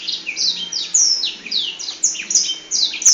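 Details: Black-throated Canary, wings spread, sings a long, fast, unbroken, high-pitched warble of quick descending twitters and bright trills, with a faint hum behind it.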